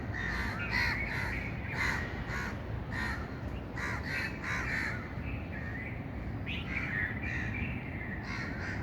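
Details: Birds giving harsh, caw-like calls, short bursts repeated about every half second to second, over a steady low rumble of background noise.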